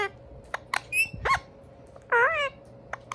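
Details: Pair of Indian ringneck parakeet brothers exchanging calls: scattered dry clicks, a brief harsh squawk, then a wavering, nasal, harmonic squeal lasting about a third of a second, with a faint background hum.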